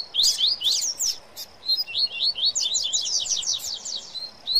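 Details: Rusty-collared seedeater (coleiro), possibly among double-collared seedeaters, singing excitedly: a rapid, high twittering song of sweeping slurred notes, quickening into a fast chattering run, over light background hiss.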